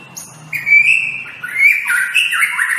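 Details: White-rumped shama song used as a training tutor for kept birds: a loud clear whistle held steady, then a run of quick rising and falling whistled slurs and downward sweeps, with a faint low hum beneath.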